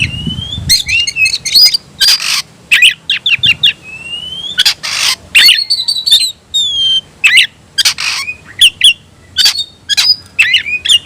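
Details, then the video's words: Oriental magpie-robin (kacer), tayoraky variety, caged, alternating long pure whistles with harsh raspy bursts and sharp clicks, phrases separated by brief silences. "bikin suara kicau burung Kacer gacor dan ngotot buka ekor"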